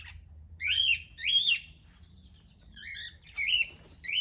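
A cockatiel gives bright, ringing chirps that rise and fall, repeated in short bursts with brief pauses.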